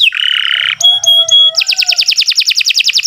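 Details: Canary song for training other birds: a harsh buzzy note, then a few clear pure whistles, followed by a rapid, even trill of repeated chips.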